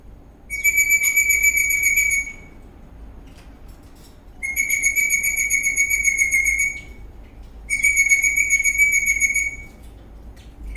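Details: Eastern rosella parrot dancing in a happy mood, giving long steady high whistles near one pitch, each lasting about one and a half to two seconds, three phrases separated by pauses, over a low background hum.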